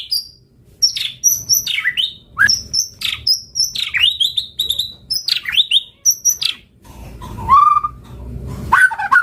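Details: White-rumped shama song for prompting replies: rapid high sweeping whistles and trills in quick bursts, then a lower fluty whistle and a buzzy ending.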